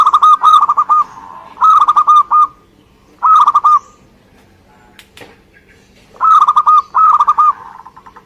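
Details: Singing zebra dove, local Indonesian perkutut. Repeated phrases of fast, soft, hollow coos come in clusters of three to five, separated by short silences. A brief rustle or flutter is heard midway.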